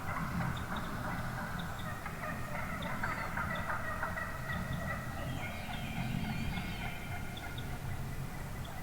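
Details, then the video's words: Turkey hens, wild and numerous, calling in the morning amid a huge flock; repeated short yelps stack into a thick chorus, with sharper clucks standing out toward the end. "REAL Hen Turkey Vocalizations"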